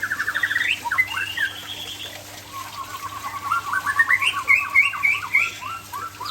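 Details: White-rumped shama of the Aceh type singing in the afternoon: rapid strings of rising whistled notes, fast trills and sliding phrases, loud and varied, over a faint steady hum.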